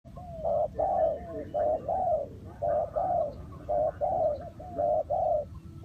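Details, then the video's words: Spotted dove decoy used for trapping wild doves, giving paired low hooting coos that repeat roughly once a second in steady phrases, with a faint background hum. "Cu gáy Ninh Thuận"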